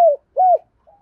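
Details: Spotted dove used as a lure bird, cooing to provoke wild doves: two short low coos around the same pitch, the first falling, the second arched, followed by a faint softer trailing note; otherwise clean and quiet.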